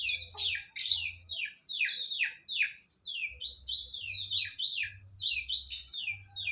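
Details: Magpie-robin from Medan, newly acquired, singing a fast varied run of high, sweeping down-slurred whistles and chattering notes, some overlapping, with a low hum in the background.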